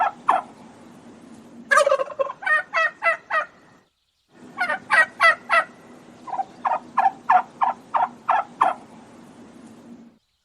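A turkey gobbles in rapid, rattling bursts of throaty notes, two runs separated by a short pause, over a low steady hum.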